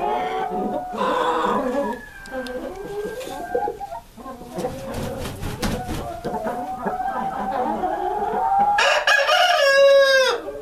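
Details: Columbian Rock chickens, a rare brown-egg breed kept as a breeder flock: continuous mixed clucking and squawks from many birds, ending in a loud, harsh, drawn-out crow-like call.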